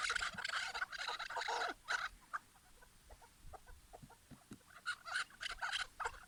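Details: Chukar partridge giving harsh, rapid, clucking bursts for the first two seconds. Sparse faint ticks follow, then the clucks return in a shorter run around five to six seconds.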